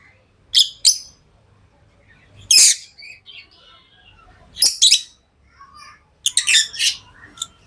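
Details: Pet lovebirds chirping: sharp, high bright chirps in short clusters spaced roughly two seconds apart, with quiet gaps between and faint low background hum.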